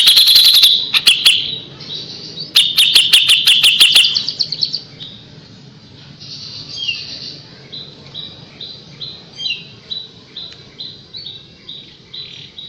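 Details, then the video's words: Kapas tembak song used to tutor white-rumped shamas: two loud bursts of rapid sharp ticking notes, then a long quieter stretch of short high whistled notes repeated roughly every half second. "KAPAS TEMBAK GACOR JEDA RAPET"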